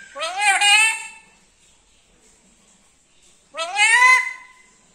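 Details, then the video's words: Black-capped lory with a sweet voice, talking like this for the first time: two loud, wavering, word-like phrases roughly three seconds apart, with near silence between them. "parrot talking ഇങ്ങനെ സംസാരിക്കണത് ഫസ്റ്റ് ആണ് black cap Lori sweet voice lori keet sweet talking"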